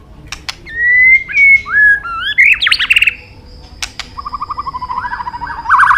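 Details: White-rumped shama, Medan type, delivering a full mimicry-laden song: clear level whistles, a rising whistled climb into a fluttering trill, a click, then a quick run of repeated chirping notes.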